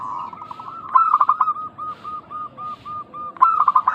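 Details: Local zebra doves used as a lure to make others answer: a stuttering burst of fast notes, then about eight evenly spaced short coos, then another loud burst.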